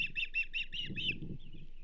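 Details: Osprey at the Charlo nest on 27 April 2024, as a whole whitefish is delivered to the banded female: six sharp, whistled chirps repeated quickly, then a thinner trailing whistle, over low rumbling and thumping at the nest.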